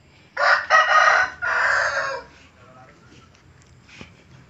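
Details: Hen crowing, said to be rare for a female: two quick clipped notes, then a long held hoarse crow, followed by quiet background with a faint thud.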